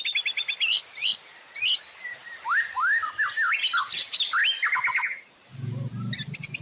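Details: Training master song of the White-rumped shama, rich in mimicked fill-ins: dense sweeping whistles and slurred chirps over a steady high whine, ending with a low buzzing hum under high chattering notes.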